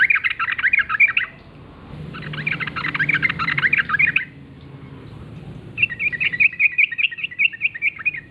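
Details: Morning song of a wild sooty-headed bulbul in the gacor ngalas forest style. Three bursts of fast, bubbly chattering are separated by short pauses, and the last burst is a steadier series of repeated chirps.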